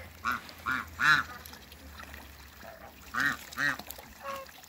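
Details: Toulouse gander and African goose hen kept as a backyard pair, a series of loud nasal honks, three quick calls then two more after a pause, ending with a shorter softer note.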